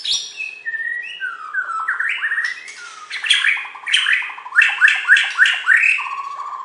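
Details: Borneo white-rumped shama, a champion bird from West Kalimantan, in full song: descending whistled notes build into rapid, repeated stuttering phrases of bright upslurred whistles mixed with harsh chattering.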